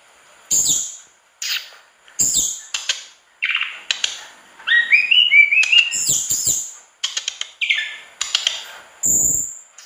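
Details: ['Singing mangrove blue flycatcher, vigorous gacor isian style: quick, high chirps and buzzy notes come in separate bursts, with a rising run of twittering notes in the middle. Calls are irregular, about two to three per second.']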